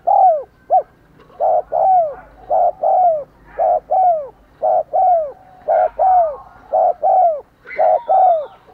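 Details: Decoy spotted dove's driving coo and calling song for luring wild birds: steady run of hollow paired coos, each ending in a downslurred note, about one pair per second, with faint clicks.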